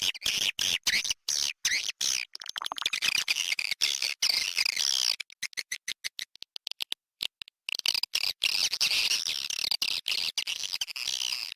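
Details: Swiftlet lure call played to attract swiftlets: dense, high chattering twitter in rapid choppy bursts. Frequent abrupt cuts and short silent gaps break it up, and a quieter stretch falls in the middle.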